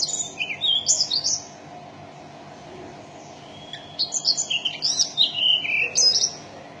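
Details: Mountain tailorbird song in two phrases of high, thin whistles mixing sharp upslurs with short descending notes, a quiet gap of about two seconds between them, steady low hum underneath.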